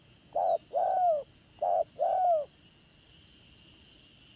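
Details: Decoy spotted dove with the 'Đồng Son' voice gives two short-long coo pairs, the long notes falling, then stops while a soft buzzing hum continues.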